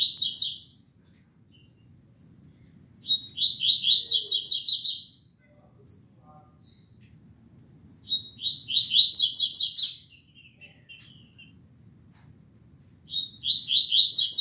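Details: Rusty-collared seedeater giving its classic tuitui song at 6:30 on 16 December 2019, used for tutoring chicks: high, bright bursts of rapid whistled notes in short phrases, repeated roughly every five seconds, with quiet gaps between.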